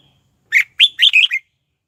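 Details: Red-whiskered bulbul lure bird singing to call wild birds to fight: one quick phrase of five clear, warbling whistled notes, bright and slightly rising, with silence before and after.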